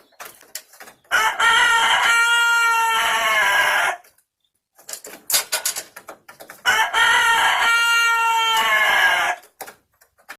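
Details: Rooster giving two long, sustained crows, each nearly three seconds of strong, level, harmonic sound, with scattered clucks and knocking noises between them.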